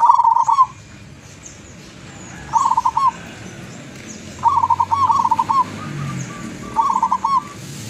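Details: Zebra dove, a locally trapped wild bird from Tuban, East Java, singing freely. Its bubbling trilled coo phrases come in four bursts a few seconds apart, with distant chirping behind.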